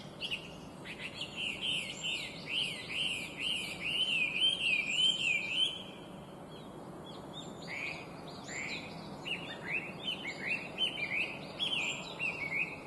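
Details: Chinese hwamei, an invasive introduced species, giving a bright, complex song of rapidly repeated looping whistles, then varied rising and falling phrases after a short pause, over a constant hiss.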